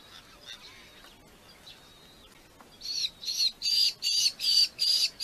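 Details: Red-footed falcon at its nest with its family in Polgár, Hungary, caught by a live nest camera: after a quiet start, a series of six shrill, harsh, high-pitched calls repeated in quick, fairly regular bursts.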